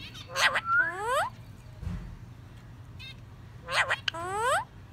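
A parakeet chatters in two bursts of harmonic, speech-like warbles with rising and sliding notes, separated by a few seconds of quiet room hum.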